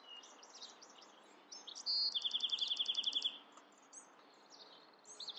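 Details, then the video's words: Bewick's wren singing a quick trill of evenly repeated high notes after a clear opening whistle, with scattered softer chips before and after against low background noise. "Beautiful Bewick's Wren Songs |Calling | Singing!"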